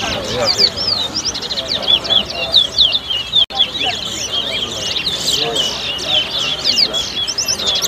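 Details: Caged towa towa birds singing in a whistling competition at a bird club in Better Hope, Guyana, 2022: rapid, high whistled notes and slurred trills repeating without pause, with crowd chatter and voices underneath.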